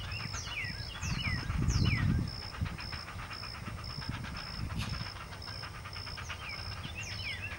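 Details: Great blue heron nest with two chicks at feeding time, their repetitive quacking beg rapidly pulsed, swelling into a louder, rougher burst near two seconds, with sharp descending chirps and a steady high pulsing tone.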